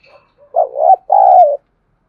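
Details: Spotted dove cooing and calling in the pre-dawn half-light, a thúc gù coo: a low, hoarse two-part phrase, a short wavering note and then a longer steady one that sags slightly at the end, with faint soft notes before it.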